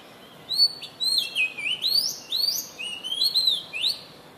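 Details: Dancing oriental magpie-robin pours out a lively run of loud, rich whistles and warbles, notes swooping up and down in quick succession with brief pauses, over a soft steady hiss.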